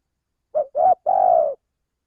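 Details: Male spotted dove coo used as a trapping lure: a soft short note, a slightly longer coo, then a drawn-out mellow note that sags at the end, all in calm silence.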